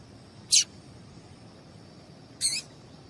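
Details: Female Double-collared seedeater call, used to excite males into singing. Two short, sharp, high chips about two seconds apart, the second slightly longer and broken, over a quiet hiss with a faint steady high tone.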